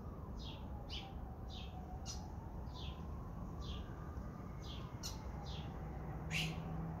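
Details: Great kiskadee calling: a soft series of short, high, downslurred notes repeated about every half second, over a steady low background rumble and a faint humming tone.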